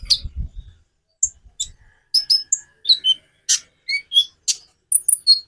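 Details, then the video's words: Kolibri ninja (Van Hasselt's sunbird) song variation, used by keepers to get other birds singing: after a low thump at the start, a string of very high, thin, sharp chirps and short trills, with brief gaps between notes. "Variasi kicau burung Konin bikin burung lain gacor"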